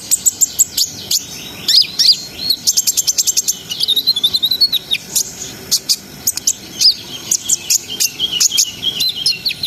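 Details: Energetic song of a brown-throated sunbird, the continuous, sharp 'ngerol' style played to raise breeding arousal; long runs of fast, needle-thin high notes mixed with twittering slurred phrases, almost without pause for nearly ten seconds.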